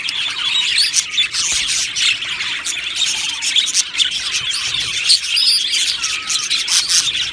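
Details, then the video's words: Aviary of happy budgerigars, a colony chattering continuously: dense high twitter, scratchy squawks and short chirps layered from many birds. "Budgie Sounds for lonely Budgies | Happy Budgies Birds Sounds | birds Chirping Sounds"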